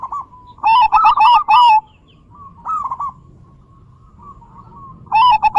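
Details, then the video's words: Zebra dove (perkutut) singing to stimulate other doves to sing, with variations described as big, bekur and crystal voice: rapid bubbly cooing phrases near one pitch, a burst at the start, a short phrase mid-way, another at the end. "Pancingan Perkutut Gacorrr dorrr- Solusi Macet Bunyi Variasi suara besar, bekur, kristal"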